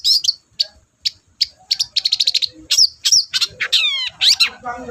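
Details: Long-tailed shrike singing energetically, played to provoke a silent caged shrike into answering: scattered sharp chips building into fast chattering runs, then harsh buzzy rasps and downslurred whistles, loud and close.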